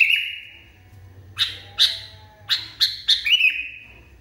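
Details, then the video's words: Sooty-headed bulbul in a cage, agitated: a drawn-out whistled note, then sharp chirps in a quickening series, ending in a longer falling whistle. "KUTILANG NGAMUK PARAH"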